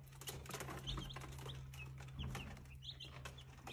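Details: Brahma chicken chicks giving short, high, downward-sliding peeps scattered across a few seconds, partly masked by a steady low electrical hum and faint rustling.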